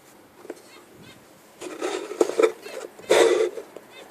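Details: Budgerigar chattering in loud, harsh bursts of warbled notes with wavering harmonic tones, busiest in the second half, after a quiet opening with a few faint clicks.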